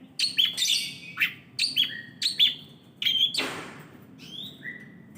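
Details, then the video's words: Long-tailed shrike (cendet) singing a varied, rich song of sharp whistled and scratchy phrases, including a downslurred buzzy note, over a low steady hum. "BURUNG CENDET GACOR MATERI LENGKAP"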